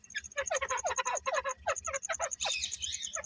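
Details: Grey francolin breeding pair calling in rapid raspy descending notes, accompanied by a steady, high, regularly repeated ticking and a brief hissing burst toward the end.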